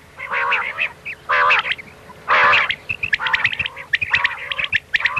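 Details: Common quail 'miankan' call played for hunting at night: several loud nasal harmonic bursts give way to a rapid chatter of short sharp notes, over a faint steady hum.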